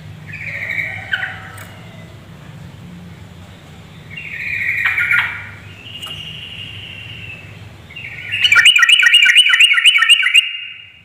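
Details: Yellow-vented bulbul female calls meant to provoke males: a few drawn-out, buzzy whistled notes spaced seconds apart, then a loud, fast rattling trill of repeated notes to the end.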